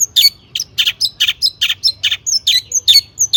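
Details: Long-tailed shrike singing a mimicry-filled song used to prompt other shrikes to sing: a fast string of sharp, high chirps and whistled notes about twice a second, some buzzy and harsh, over a faint low hum.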